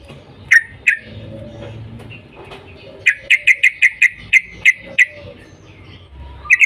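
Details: Yellow-vented bulbul calling in the morning to make other bulbuls sing: two isolated 'cuk' notes, then a steady series of about nine sharp bright notes at roughly three per second, light background hiss.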